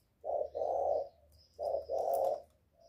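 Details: Spotted dove call meant to stir up birds: two paired phrases of muffled, breathy coos, a short note then a longer one, over a faint steady high whine and background hiss.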